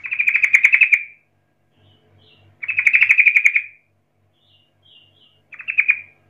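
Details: Taunting 'rol' song of a sooty-headed bulbul played to draw answers from rival bulbuls; loud rapid rattled trills about a second long, three bursts with soft faint notes between.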